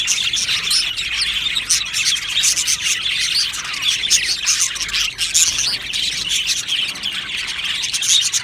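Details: Aviary colony of budgerigars chirping and singing together, a steady wall of bright twitters and short warbled notes from many birds at once, unbroken for the whole stretch.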